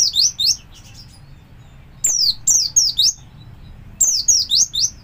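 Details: Kept Javan white-eye singing in the ngalas style, used as a lure so other white-eyes learn it: very high, thin, downslurred notes in rapid clusters of three or four, bursts recurring about every two seconds, with a quiet low hum beneath.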